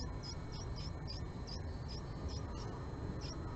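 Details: Japanese tit calls at a nest box as a female visits the male, March 20, 2022, morning: evenly repeated short high notes about every third of a second, with steady low background rumble.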